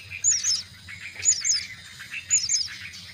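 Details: Myna chicks being fed at the nest, giving bursts of high, squeaky chirps in clusters about once a second, with a softer buzzy chatter underneath and a faint low hum.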